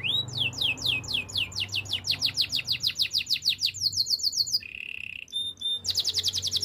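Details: Spanish Timbrado canary song for training: rapid rising sweeps repeated several times a second, a dense buzzy trill, a short low steady roll, then quick bright sweeping notes again.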